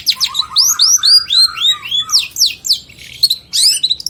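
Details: Long-tailed shrike in 2022, a varied song recording used to tutor other birds: a run of sweet rising whistled slurs over a lower chattering line, then sharp descending notes and short bursts of bright chatter.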